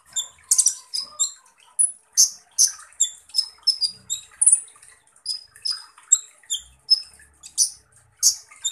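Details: Van Hasselt's sunbird, known in East Java as kolibri ninja, giving a 'full tembakan kasar' (rough-shot) song: rapid, sharp, very high metallic chirps and short whistles, about two per second, with brief trills between.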